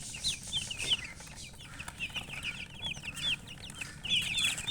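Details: Chicks cheeping in a group, rapid thin rising and falling peeps tumbling over one another several times a second, with a constant low hum underneath.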